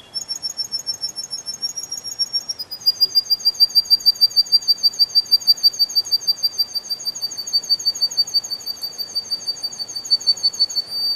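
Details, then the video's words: A canary sings in a spring forest: a high, thin trill that becomes a rolling, pulsed tour of about three notes a second, with no other sounds standing out. "Пение канарейки, канарейка поет"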